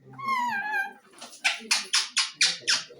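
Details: Parrot giving a drawn-out, slightly falling nasal call, then a series of about six harsh, raspy squawks repeated roughly every quarter second.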